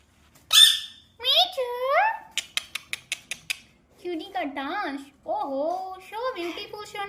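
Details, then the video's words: Pet rose-ringed (ringneck) parakeet gives a sharp squawk, a string of quick clicks and chirps, then warbling, speech-like phrases that rise and fall; no other sounds stand out. "Ringneck Talking Parrot Chirping Sound"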